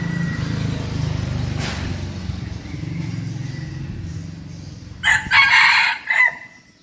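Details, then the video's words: A 7-month-old red junglefowl rooster, a frequent crower kept as a decoy bird, gives a single loud, hoarse crow of just over a second, following several seconds of low engine rumble. "siêng gáy gà 7 tháng tuổi, gà mồi"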